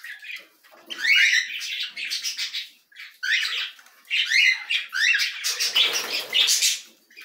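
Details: Canary chicks begging while being fed: bursts of high, rapid, scratchy chirping in clusters about a second long, repeated with short pauses, plus soft wing flutters.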